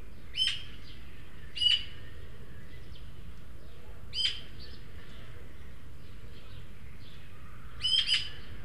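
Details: Three juvenile Eurasian magpies visit a feeder in El Retiro, Madrid, the younger two begging food from the older one; four short, harsh, grating calls, some doubled, at irregular intervals over low hum.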